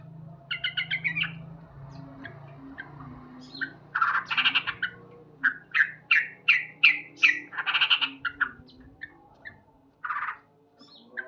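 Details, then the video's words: Loud morning song of a male sooty-headed bulbul: harsh chattering bursts alternating with clear repeated cuk notes, about three per second in the middle section. "Terapi Burung Trucuk Gacor"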